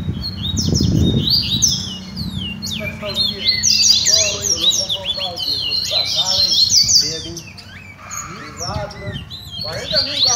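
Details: Double-collared seedeaters in a song-training session, several birds: rapid, high twittering and sweeping whistled phrases, overlapping and repeated quickly, over a steady low hum, with a brief low rumbling thump near the start.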